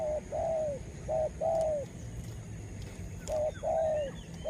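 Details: Spotted dove used as a lure to rouse wild birds; repeated two-part coos, a short hum then a longer falling note, over steady background hiss with faint clicks.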